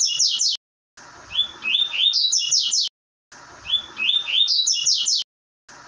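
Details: Song of a double-collared seedeater in the "tui tui" style meant to teach a bird: short upward-sliding whistles quicken into a burst of piercing high slurred notes, phrases repeating about every 2.4 seconds with clean silences between.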